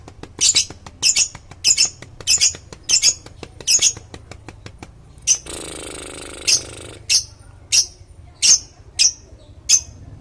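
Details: Lovebird calls used as a lure: harsh, broadband chirps repeated roughly every half second, a louder rasping burst partway through, then more spaced chirps, in a quiet indoor setting.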